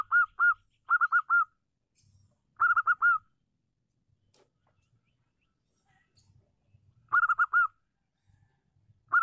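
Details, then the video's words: A local female zebra dove (perkutut), kept to provoke stalled birds into calling, gives short bursts of two to four rapid, bubbly, mid-pitched cooing notes every couple of seconds against a quiet background. "PERKUTUT LOKAL GACOR BETINA MEMANCING EMOSI YANG MACET"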